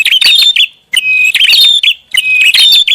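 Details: Prinia giving a noisy lure call: three bursts of grating, buzzy chirps with a steady whistled tone, each separated by a short silence.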